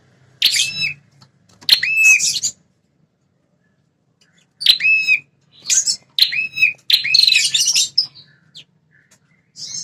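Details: A prinia calls to provoke territorial wild males. Short clusters of piercing, high notes with repeated curved whistles arrive in two pairs with a long pause between, then a longer jumbled run of chattering near the end.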